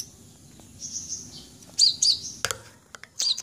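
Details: Red-breasted sunbird in full voice gives thin, very high twittering notes, sharp chips and short trills in quick bursts over a faint background hum.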